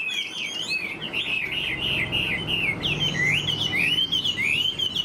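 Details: Chinese hwamei, tame and caged, sings fluid high warbles that turn into rising, looping whistled notes toward the end.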